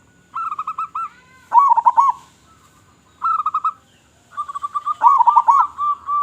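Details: A local zebra dove sings loudly to draw in other zebra doves, alternating short even trains of staccato notes with louder bubbling, trilled phrases, separated by brief silences.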